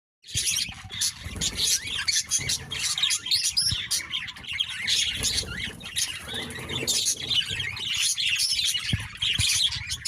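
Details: Birds fighting constantly with loud noises: a dense, continuous clamour of many overlapping shrill chirps and squeaks, with wing flutters and thumps.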